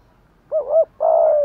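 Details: Spotted dove kept as a decoy, calling to draw in wild doves and challenge them; a soft, low coo with a brief wavering first part and then a sustained, even second note, with no other sounds.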